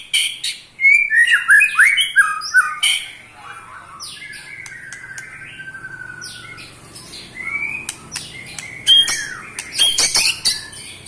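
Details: Eight-month-old white-rumped shama giving ketrekan, a rattling trill that provokes other shamas: loud burst of varied whistled slurs and sharp chips, a softer lull of sliding notes, then renewed bright chattering bursts toward the end.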